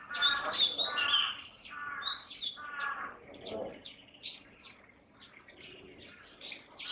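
An Oriental magpie-robin gives a quick run of rich whistles and scratchy notes, about four a second, loud at first then fading into softer, distant chirps.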